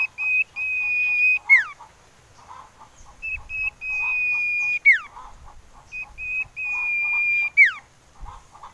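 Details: Whistle of a common iora, played as a lure to attract birds and set them singing. Three phrases of a short note then a long, steady, high whistle that drops away in a quick downward slide, with soft chirps in between.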